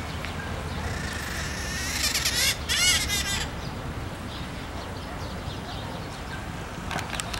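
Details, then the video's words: Red-shouldered macaw recorded at Araguari, Minas Gerais, Brazil, among fields and cerrado: a cluster of harsh, rasping squawks around the middle, then mostly steady low background noise with one faint call near the end. "Maracanã-pequena(Diopsitta nobilis)"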